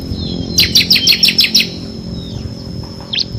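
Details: Bar-winged prinia (ciblek kristal) song used as a master recording for training competition songbirds: a rapid burst of seven sharp high chirps over about a second, then quiet with a faint low hum and one later note.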